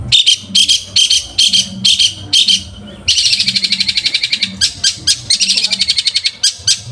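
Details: Long-tailed shrike song for teaching other birds: harsh rhythmic phrases repeated about twice a second, then a long fast buzzy trill of sharp notes over a steady low hum.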